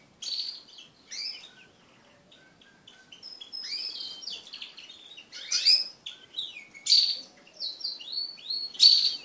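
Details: Crested canaries kept as pets sing during mating, a varied warbling run of high chirps, brief whistles and quick rising and falling notes that grows busier and louder toward the end.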